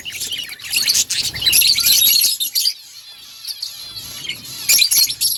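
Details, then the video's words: Budgerigars chirping in dense, high warbling chatter with bright twittering notes, loudest in bursts during the first half and again near the end, quieter trills between. "Budgies birds sounds parakeet chirping sounds"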